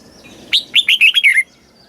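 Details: Single phrase from a Thai red-whiskered bulbul in the southern master style, played to rouse birds and teach young birds. Six clear, rapid whistled notes slide gradually downward, ending the phrase.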